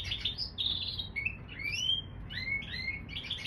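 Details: Canary and bullfinch hybrid singing: a run of soft whistled slurs and short warbled phrases around the middle-high register, some rising and some falling, with brief pauses between notes over a low steady background hum.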